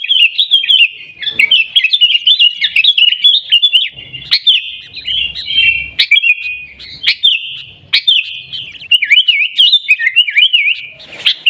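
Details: Continuous 'Garuda' style song of a sooty-headed bulbul, Pidie, Aceh, Indonesia: sweet, wavering whistles tumble together for over ten seconds, with a few sharp clicks between phrases.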